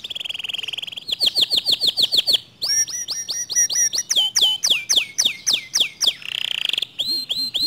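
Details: Canary in full song, the kind said to rouse rival canaries into singing: a steady buzzy note, then rapid repeated whistled sweeps changing pattern every second or two, with a brief rolling buzz near the end.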